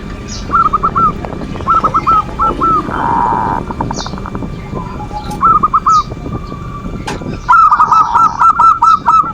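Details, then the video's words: Zebra dove manggung song used as a lure to excite other perkutut: trilled, bouncing coo phrases repeated in clusters, a rasping burst in between, and a closing run of rapid looping notes with background ticking. "Suara perkutut pancingan birahi dan emosi,the sound of turtle doves to lure passion and emotion"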